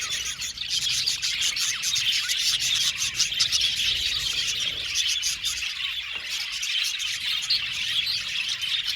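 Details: Aviary colony of budgies chirping together: layered high twittering and warbled notes overlapping constantly, a busy unbroken wash of bird chatter with brief louder squeaks.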